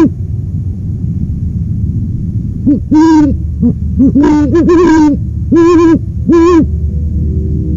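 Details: Quiet low hum, then a burst of owl hoots from about three seconds on: soft short notes mixed with louder, longer, full-toned hoots, ending with two spaced strong hoots.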